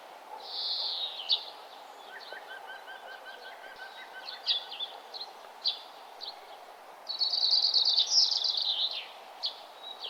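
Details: Birds singing along a nature trail as the sun rises; scattered high chirps, a soft repeated trill, then a loud rapid twittering burst near the end, over quiet outdoor hiss.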